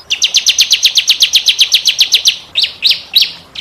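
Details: Canary tutor song in a unique cengkok style: a steady rapid train of identical sharp notes at about four per second, followed by three louder rising-falling swoops.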